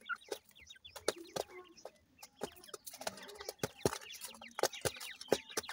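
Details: Young irani teetar francolin chicks kept in captivity give high, brief cheeping notes, some in quick runs, over sharp tapping and rustling sounds.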